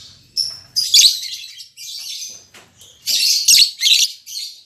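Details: Newly paired lovebirds, an albino MM male and a lutino MM female, caged: sharp high chirps and squeaky bursts in clusters, with a few brief gaps of quiet between them.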